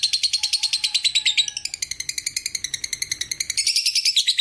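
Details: Lovebird singing the long ngekek trill for training. Very rapid, high, buzzy chattering notes pour out steadily and rise in pitch near the end, with a faint low rumble beneath.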